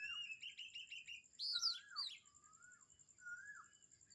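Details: In the morning at Kamphaeng Saen, a rapid string of chirps leads into loud, excited high warbles, then softer falling whistles from another bird, against a continuous shrill hum.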